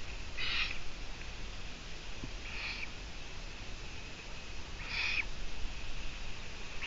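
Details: Long-eared owl on a live stream camera, 17 June 2017 around midday (12:14), giving short, harsh, hissing calls roughly every two and a half seconds, over a steady low rumble of background noise.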